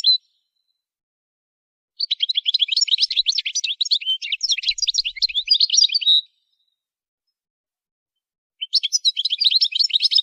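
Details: Goldfinch training song in two bursts of rapid, high, jingling twitter separated by a silent gap of a couple of seconds.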